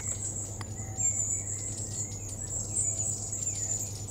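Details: Long-tailed tit flock in Totteridge Valley on 17 June 2017 gives thin, very high, overlapping calls with a few lower chirps over a steady low hum.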